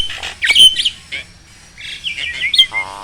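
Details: Black-winged starling song played as a tutor recording for reluctant captive starlings: loud sharp whistled notes and harsh squawks, followed by a wavering trill and a brief low buzzy rattle.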